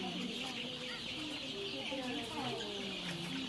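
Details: Chicks in a poultry farm in Kurunegala, Sri Lanka; many overlapping short peeping and clucking calls over a constant, dense background hum of the shed.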